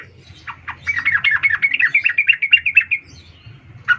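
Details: Female yellow-vented bulbul calling to a male: a rapid run of bubbly, chattering notes around two kilohertz, speeding into a near-continuous trill before stopping, with a low hum underneath.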